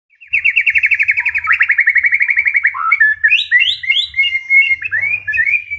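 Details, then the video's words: White-rumped shama, a wild-caught long-tailed bird, singing: a fast run of about twenty evenly repeated chirping notes, then varied rising and falling whistles and short sweeping phrases. "Muraibatu ekor panjang hasil alam"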